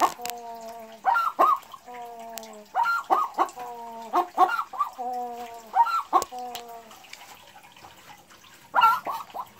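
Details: Cackle of a Boris Brown chicken, proud after her first-ever egg, 4 December 2016: a long series of level, nasal drawn notes, each ended by two or three quick sharp clucks, repeating about every two seconds.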